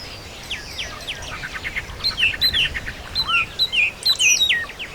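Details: Rural birds in full chatter: bright high chirps and twittering notes, some sharply falling, growing louder toward the end, with several singers overlapping against a soft steady hiss.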